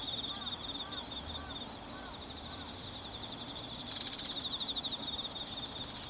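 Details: A single Bull-headed shrike, perhaps female though it looked male, on 22 September 2015, calling before flying off and returning; four or five curved, clipped notes in quick succession, then only a continuous buzzing insect chorus.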